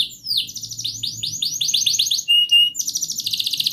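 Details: Canary song for prompting a silent canary: a rapid series of repeated rising chirps, a short pure steady whistle, then a fast buzzy trill.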